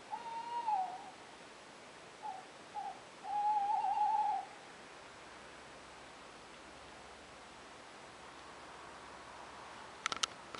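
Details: Eurasian tawny owls, male and female, calling in France in April: a wavering mid-pitched call near the start, two short notes, then a longer quavering note around four seconds, followed by quiet background hiss and a brief click at the end.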